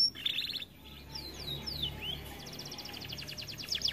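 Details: Canary described as singing little because it is too fat: a short trill, a few faint whistled slurs, then a quick series of repeated notes over a low background hum.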